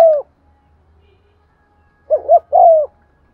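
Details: Decoy spotted dove's stimulating coo, 'giọng son' style: the tail of a long falling coo, a pause, then one phrase of a paired short coo and a sustained descending coo, over a faint low hum.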